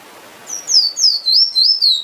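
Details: Emprit finch song made of sweet, high, descending whistles run together in a rippling series of five or six notes, with quiet hiss behind.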